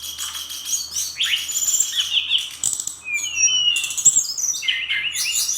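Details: Lively brown-chested jungle flycatcher song, Bali bird, 'gacor' with filled-in phrases: bright descending whistles and fast warbled notes, a brief pause mid-way, then a sustained high tone and swooping slurs.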